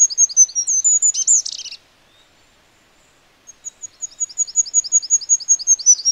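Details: A wild Goldcrest gives very high, thin, rapidly repeated notes ending in a brief flourish, then after a pause starts another quick, cycling series of tiny notes.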